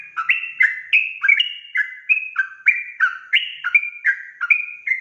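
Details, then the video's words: Rapid ropel song of a sooty-headed bulbul, a gacor style aimed at angering other bulbuls: loud clear whistled notes tumbling up and down in quick succession, about three each second, without pause. "Suara Trucukan Ropel Gacor emosi sekali putar semua burung trucuk di bikin panas naik pitam"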